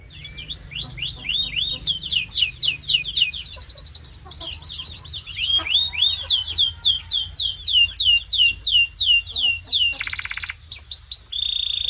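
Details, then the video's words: Canary singing to encourage other canaries: lively continuous rolls of fast repeated downward-curving notes changing in pitch, a short rattling trill and a steady buzzy tone at the end. "This Singing Canary Will Make Yours Sing Instantly!"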